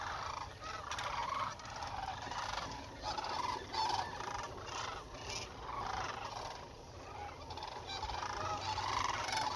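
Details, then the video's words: Sandhill cranes on their 2021 migration through south central Nebraska, heard from about 30 meters: a dense flock chorus of rolling, rattling, trumpeting calls that overlap continuously, rising and falling in waves without pause. "6 minutes of sandhill cranes 2021 migration"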